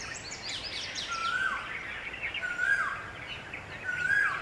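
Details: Red-vented bulbul flock bathing, drinking and cooling off in a water puddle on a hot summer day; a clear whistled note holds level then slides downward, repeated about every one and a half seconds over a busy twittering chorus.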